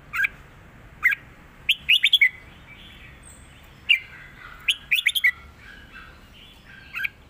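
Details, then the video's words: A red-whiskered bulbul performs southern 'mae bot' song including 'rik' notes: single chirps leading into fast, slurred three- to five-note runs, repeated twice, with quiet surroundings. "นกเสียงทอง ร้องริก/เพลงใต้แม่บทชัดๆ"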